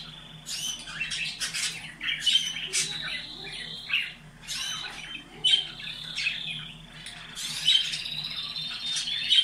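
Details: Canary singing to stimulate breeding birds: repeated buzzy rolling phrases mixed with level whistled notes, rising and falling in loudness every couple of seconds.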